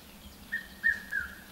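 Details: Red-chested Cuckoo at Maroela camp near Orpen, Kruger National Park, in the afternoon as a storm rolls in, gives its three whistled 'piet-my-vrou' notes, the last one falling, over a faint low rumble of thunder.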